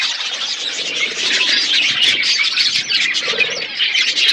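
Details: Loud, continuous flock chatter from budgerigars in an aviary within a forest environment, a thick wash of overlapping warbles and chirps with no pauses.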